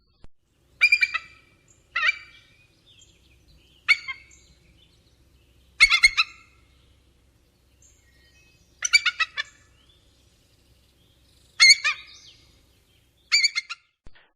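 Bald eagle giving high, thin, stuttering chitters in short bursts about every one to two seconds, with quiet pauses between.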